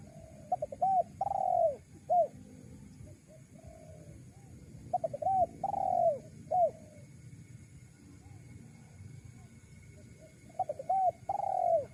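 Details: Spotted dove, a recording used to lure wild doves, repeats its cooing phrase three times roughly every five seconds. Brief broken notes rise into a long falling coo followed by short hooked notes, over a steady low background hum.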